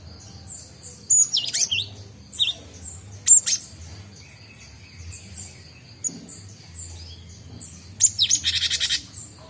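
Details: Gelatik Batu (cinereous tit) practising its song, newly able to do ngombyok; scattered high sharp notes with a buzzy rasping rattle near the end, separated by quiet gaps.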